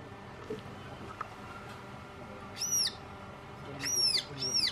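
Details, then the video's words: A young Alpine chough at Rochers de Naye begs for food with three shrill, wheezy, arching calls, the last two close together, over a quiet, faintly humming background. "Young Alpine Chough begging for food"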